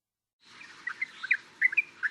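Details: Yellow-vented Bulbul in Thailand, from a xeno-canto recording: bright, bubbly chirps in short irregular clusters, some notes dipping and rising, starting after a brief silence.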